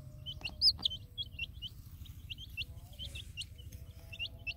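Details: Colored chicks out in a field with their hen give bright, hooked peeps, quick and scattered, several birds calling at once; one louder peep stands out early, with a low background rumble.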